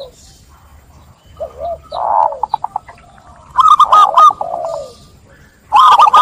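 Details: Zebra doves sing clearly, one prompting others to join: softer distant cooing with short rapid trills, then loud bubbling coo phrases with a low falling note, and a final loud burst.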